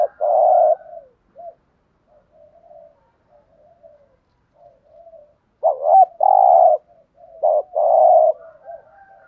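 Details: Spotted dove kept as a lure, cooing to make wild doves reply. A coo phrase opens the recording, then soft murmuring notes, then two more phrases close together near the end, each a wavering note and then a held coo.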